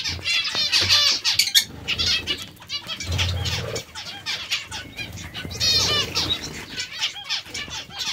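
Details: Zebra finches eating vegetables give rapid strings of nasal, harmonic call notes, several birds overlapping in continuous chatter with occasional soft bumps.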